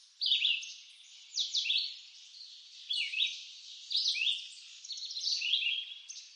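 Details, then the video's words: Red-eyed vireo singing in eastern North American woods: short slurred whistled phrases, rising then falling, delivered about once a second with brief pauses between them, clear and dominant over faint background. "Red-eyed Vireo Bird Song"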